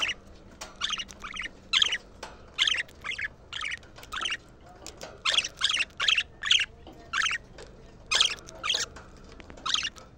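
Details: Budgerigars calling, used to excite the birds and stimulate females to mate: a series of short, harsh, squawky chirps repeated about twice per second, each a rapid burst of noisy chatter, with a faint low hum behind.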